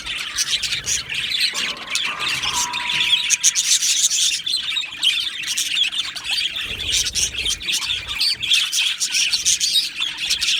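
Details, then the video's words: Budgerigar colony in an aviary: a dense, continuous wash of high chirps, warbles and squawks from many birds at once, with a brief steady whistled tone near the start. "Beautiful Budgies Birds Singing and Chirping Sounds"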